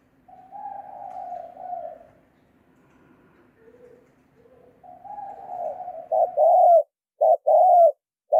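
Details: Spotted dove lure call, free of background noise: long low wavering coos, a few quieter short notes, then loud clipped two-part coos at the end.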